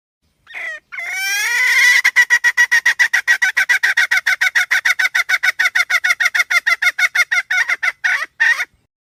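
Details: Hen giving a long, steady run of harsh, nasal clucks, about three and a half per second. It opens with a few drawn-out, wavering notes, then the clucks keep an even beat for several seconds before a final pair.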